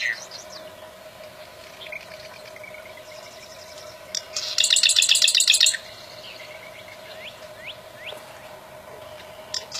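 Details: Single loud rattling burst of quick, high, evenly pulsed notes from a wild bar-winged prinia lasting about a second and a half, surrounded by soft thin upslurred whistles and a faint steady hum.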